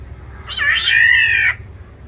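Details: Black-naped oriole in an aviary, in a territorial fight, gives one harsh, nasal, cat-like call of about a second, rising briefly then holding steady before stopping abruptly; faint background hum.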